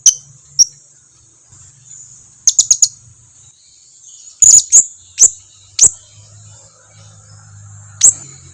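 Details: Lure recording of a blue-crowned hanging parrot to make other birds answer: a scattered series of very high, thin chips and squeaks, some in quick triple bursts, with long gaps and a faint low hum.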